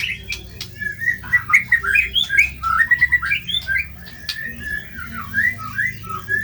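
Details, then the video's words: White-rumped shama singing loudly with rough, varied material as a tutor recording: fast chains of whistled and warbled notes climbing and dropping, some sharp clicks, above a steady low hum. "MASTERAN MURAI BATU GACOR MATERI KASAR"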